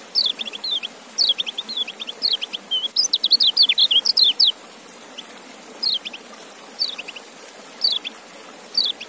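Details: Kecial, a white-eye, singing: short high chirpy phrases of quick descending notes in bursts, a dense run around three to four seconds, then sparse repeated phrases over a quiet background.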